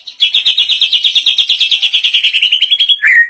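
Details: White-rumped shama debuting its rich isian fill-in phrases: a fast, even series of about twenty buzzy repeated notes lasting three seconds, slowly sliding lower, ending in a short falling slur.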